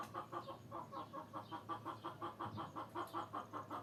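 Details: Steady rhythmic clucking from hens, short pulsed notes repeated about three times per second in an even run, over a constant low hum.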